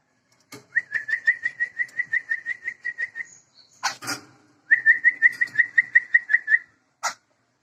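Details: Sumatran laughingthrush pair, male and female, endemic to Sumatra and protected, with two fast runs of about a dozen clear whistled notes at steady pitch, each run lasting about two seconds, broken by short harsh squawks.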